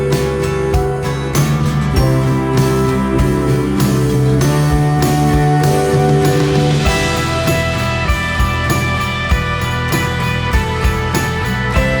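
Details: Only guitar-led rock music plays throughout, with a steady beat and no animal calls.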